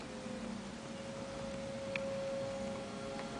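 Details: A steady low hum with soft hiss and a few faint ticks; no animal voice is heard. The background sounds like a small indoor room.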